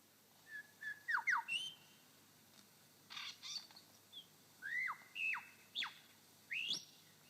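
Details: Male superb lyrebird on his dancing mound in Sherbrooke Forest Park, Victoria, mimics a grey thrush with rich, ringing whistles that swoop down and sharply up, about ten notes in seven seconds over a faint hiss.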